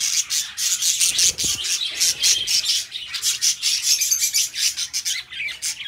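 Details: Pet budgerigars, described as budgie best friends, chirping steadily in dense, overlapping high chatter with rapid buzzy notes and short squeaks, nearly continuous throughout, played as relaxing company for other budgies.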